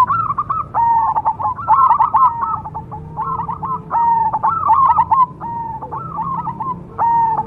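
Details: Cemani zebra dove (perkutut), a kept contest songbird, singing: rapid stuttering runs of mellow cooing notes near one pitch, overlapping phrases with short gaps, a faint steady low hum underneath.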